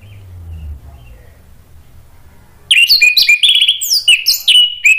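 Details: Orange-headed thrush singing hard, gacor, as therapy to draw an answering ngeplong song from birds that have stopped singing. After a low hum, a dense stream of bright, fast-changing whistles and chirps begins, in quick varied notes.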